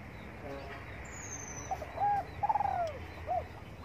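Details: Spotted dove sunbathing in the morning, giving a low mellow coo phrase: a brief soft note, a steady hoot, then a rolling vibrato coo that falls away and a short final note. A thin high whistle from another bird is heard early on.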